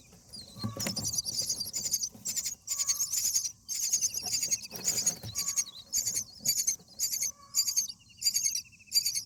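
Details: A Common Myna parent at a nest with day-8 nestlings gives harsh, raspy, hissing bursts about every second, with a few thin whistles between them, apparently calling its mate out of the nest to fight nest bugs.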